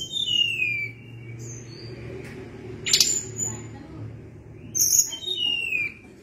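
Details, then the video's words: Sunda blue robin with a descending series of pure whistled notes at the start, a sharp click midway, then another falling whistled phrase near the end over a low hum. "Ocehan Tledekan Gunung gacor Ngeri Bikin Tledekan Apapun ikut Gacor Ngerol Panjang"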